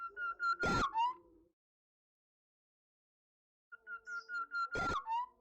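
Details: Songbird kept as a pet, singing loud enough to overload the microphone. About six short, even whistled notes hold one pitch and end in a rising slur, then repeat after a silent pause. Harsh distorted bursts cut through the phrases.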